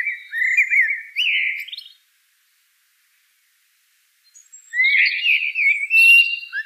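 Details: Two rich, fluty song phrases from a common blackbird, each a wavering warble rising at the end, separated by about two seconds of complete silence.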